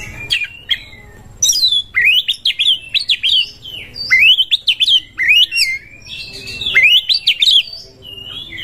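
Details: Oriental magpie-robin (kacer) singing a challenge song to seek a rival to fight, used as training material to make quiet kacer sing long. Clear whistled phrases swing up and down, with brief buzzy notes in bursts separated by short pauses.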